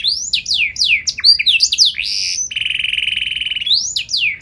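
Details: Canary in full vigorous song with a special cengkok variation: rapid high slurred notes sweeping down and up, then a long, even, fast rattling trill held over a second, ending with renewed sweeping notes.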